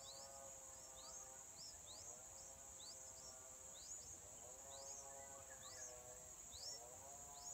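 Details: Mother yellow-vented bulbul feeding chicks in the wild, fourth day: steady series of short high upswept chirps, roughly one a second, with a wavy lower tonal layer and continuous high-pitched insect-like hiss throughout.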